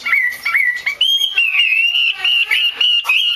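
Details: Female Chinese hwamei used as a stimulus for singing males: slurred whistles dipping and rising, then longer drawn-out tones that waver in pitch, delivered in uneven bursts.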